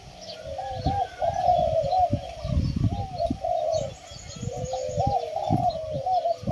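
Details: Spotted dove (Spilopelia chinensis), coo.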